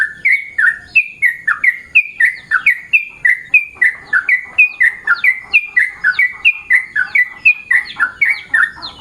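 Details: Morning calls of a yellow-vented bulbul: a brisk, continuous series of sharp liquid chirps, each note slurring down then flicking up, delivered roughly three to four per second with clear loud onsets against a quiet background.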